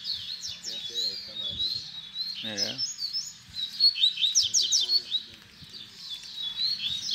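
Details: Double-collared seedeater singing in the baderna style for teaching young birds. Continuous high, twittering phrases of sharp chirps and slurs, with a brief lower buzzy harmonic call midway.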